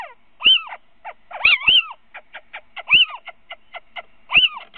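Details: Evening encounter at a little owl nest webcam, Winterswijk, 3 February 2017, 17:55, a third owl calling: strident arched kiew-like cries, several close together, interspersed with rapid short clicking or chattering notes.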